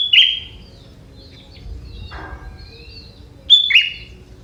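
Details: Song of a young wild sooty-headed bulbul from the forest, with prinia-like elements: a sharp descending buzzy note, a soft rushing sound midway, then a second sharp slurred note. The setting is otherwise calm.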